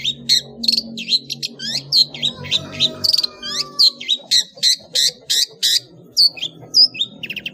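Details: Long-tailed shrike in full ngeplong song with fill notes, a cage-bird training master: a steady stream of loud, varied high whistles and clipped notes, roughly two per second, over a low humming background.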